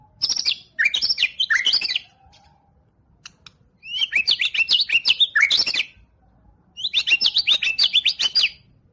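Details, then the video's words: White-rumped shama, a champion contest bird, delivering three separate bursts of rapid, loud, high chattering whistles, each lasting one to two seconds with short silent pauses between them. "Kumpulan Tembakan Murai Batu juara"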